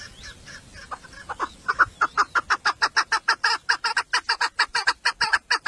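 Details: Female chukar partridge kept in a village as a 'mari' decoy for hunting males: soft scattered clucks build into a loud, rhythmic chain of hoarse chuk notes about two per second.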